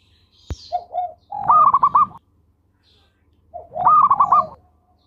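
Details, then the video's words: Local zebra dove in full voice, used as a lure for other doves: two soft cooing phrases, each a few short notes running into a quick rolling trill, separated by a pause of about a second. "Perkutut Lokal Gacor Suara Merdu Mewah Buat Pancingan"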